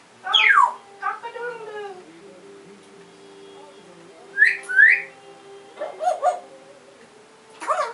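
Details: African grey parrot: a steeply falling whistle, chattering harmonic sounds, a pair of quick rising whistles midway, then short clicking notes and a final whistle.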